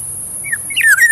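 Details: Black-naped oriole uttering brief whistled notes, a soft falling slur followed by a louder, bent whistle that rises and then levels off, against a faint low background hum.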